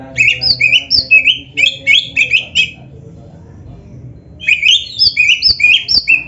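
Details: Training song of an Oriental magpie-robin, black-breasted form: two bursts of rapid, ringing two-tone whistles in quick succession, separated by a pause of about one and a half seconds.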